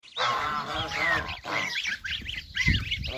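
A goose gives a run of loud, nasal, harsh honks, several overlapping in quick succession over about three seconds.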